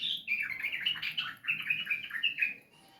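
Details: Caged sooty-headed bulbul song used to stimulate a reluctant bird to sing: a continuous, rapid, bubbling twitter of high chirps and slurred whistles for nearly three seconds.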